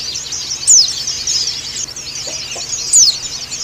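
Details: Pleci dakun Bali white-eye calling a rival, giving rapid high-pitched twittering with two loud, quick, downward-slurred whistles about two seconds apart and a couple of faint low notes between them.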